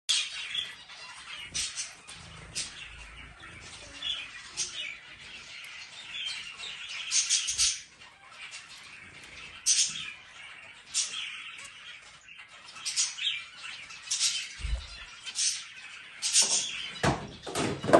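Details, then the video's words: Zebra finch singing while eating: dense bursts of buzzy, nasal chirps and short rapid notes, irregular and clustered, with occasional low thumps and clicks from feeding. "Zebra Finch singing and eating"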